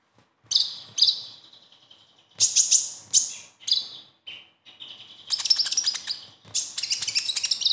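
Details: Sunbird (konin) in its typical full song, used to coax silent young konin into singing: thin, very high bursts of twittering and rapid buzzy trills, phrase after phrase with short pauses between.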